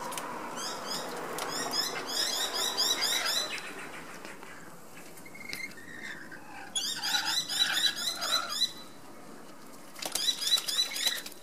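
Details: A pair of rainbow lorikeets bathing in Sydney in the afternoon, with rapid, scratchy chattering notes in repeated bursts, separated by quieter gaps filled with splashing and fluttering.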